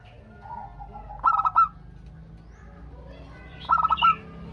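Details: A local zebra dove singing to lure other doves into calling back. Two stuttered, bright coo phrases sound about two and a half seconds apart, with faint low coos and a light background hum.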